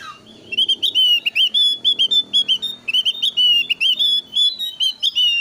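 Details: Lure song of the Javan grey-throated white-eye, thin-eyebrow form, varied and energetic, meant to prompt wild birds to join in: continuous loud, ringing whistled notes, each rising sharply, delivered in quick irregular bursts.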